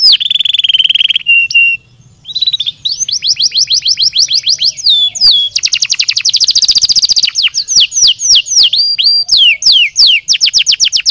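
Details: Canary song with loud, fast trills of rapidly repeated high notes, switching between buzzy rolls and clear falling whistled notes, with a brief pause near two seconds and no other sounds.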